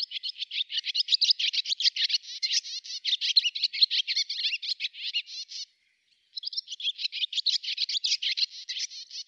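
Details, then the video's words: Swallow from Russia in a long continuous twittering song, rapid scratchy chattering notes packed tightly together, a brief pause midway, then the chatter resumes at the same pace. "Ласточка. Голоса птиц Росии"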